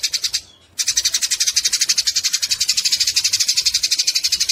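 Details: Eurasian tree sparrows fighting, used as a tutor recording for songbirds: dense, fast, harsh chattering pulses, about four per second, high and scratchy, with a brief pause near the start before the chatter resumes.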